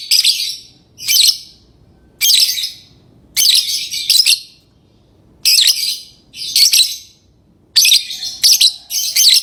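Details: Repeated shrill chirps of a lovebird, grouped in pairs and short runs with brief pauses, steady harsh high-pitched chattering throughout.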